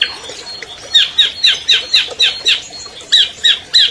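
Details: Albino long-tailed shrike, a 2020 champion bird, singing as a master recording to prompt silent captive shrikes into song: harsh, buzzy squawked notes repeated roughly every quarter second, each sweeping downward, over faint background hiss.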